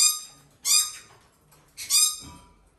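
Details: Hand-reared female red-shouldered macaw from a Japanese breeder, weak-bodied but now feeding herself, gives two loud, harsh, grating screeches about a second apart, each rich and nasal, in a small quiet room.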